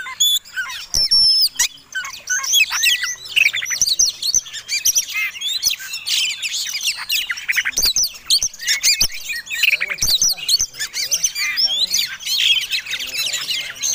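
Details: Dense, energetic Oriental magpie-robin fighting song, meant to goad other birds into singing. Rapid overlapping whistles, trills, squawky notes and sharp clicks run almost without a break for the whole stretch.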